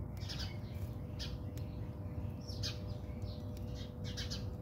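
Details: In a South African backyard, fighting house sparrows give sharp, rasping chirps in dense clusters, overlapping calls from several birds, set against continuous low background noise and a faint humming tone.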